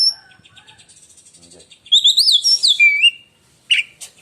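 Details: Oriental magpie-robin singing a shrill, piercing contest song likened to lightning: faint soft warbling, then a loud run of high undulating whistles falling in pitch, and a closing sharp chip.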